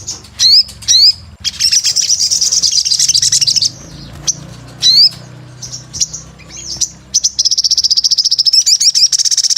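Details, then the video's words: Sogon, the crimson sunbird, calling gacor: paired sharp up-slurred chirps, a long high sizzling trill, more isolated rising squeaks, then a rapid pulsed high trill to the end. "Pancingan SOGON GACOR"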